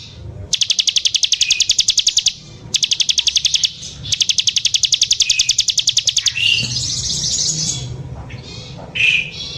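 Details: Bar-winged prinia (ciblek sawah) in energetic song: three bursts of rapid, high, ticking notes separated by brief pauses, then a looser stretch of thin chattering and squeaky notes with faint low background rumble.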